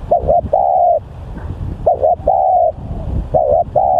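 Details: Decoy spotted dove described as fierce and vocal; three phrases of two quick notes and a long even coo, close and loud, with low rumbling noise between phrases.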